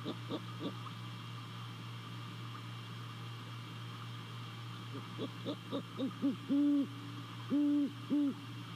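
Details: Hooting great horned owl visiting its nest in Savannah, recorded by nest camera on 28 December 2020 in the small hours: a few soft short notes, then a quickening run building into deep sustained hoots, with steady background hum.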